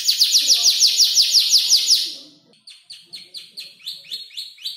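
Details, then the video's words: Young canary, five months old, building its song from other birds' calls: loud, rapid, high swept notes, a short pause, then a softer series of repeated chirps. "Kicau burung kenari gacor noto lagu U 5 bulan"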